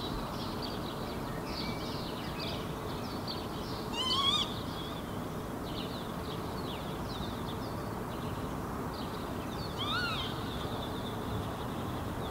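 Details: Northern lapwing foraging in a Helsinki park, Finland, in June 2016, then taking off and giving two wheezy, slurred 'pee-wit' calls about six seconds apart, over soft chatter from other small birds and a steady low rumble.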